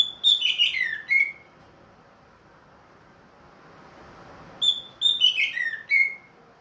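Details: Ringed orange-headed thrush kept in captivity, back in regular song after moulting. It gives two rich, tumbling whistled phrases that slur downward, each lasting about a second and a half. A long silent gap separates them.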